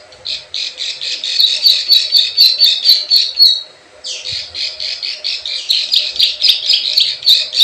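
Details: Plain prinia lure call in the 'klik klik ciwah' style, used to attract wild birds: rapid buzzy chattering notes about four per second with sharp high ticks, a brief pause near the middle, then the chatter resumes.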